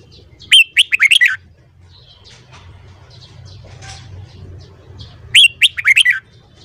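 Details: Morning singing from a caged red-whiskered bulbul in voice training: two lively phrases of quick, clear whistled notes at the start and end, separated by quiet background noise.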